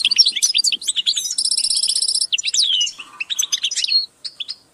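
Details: Several captive European goldfinches give group calls used to motivate other birds, chattering in a fast, tinkling jumble of bright twittering notes, with a rapid buzzy trill running through the middle.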